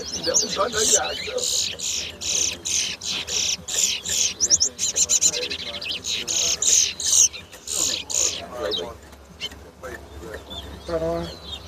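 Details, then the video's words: Competition towa towa (Large-billed Seed Finch) at the National Stadium bird ground in Guyana, 2022, pouring out a long sequence of fast, rasping high bursts and twittery notes, fading near the end into chatter from onlookers. "TOWA TOWA BIRD RACE"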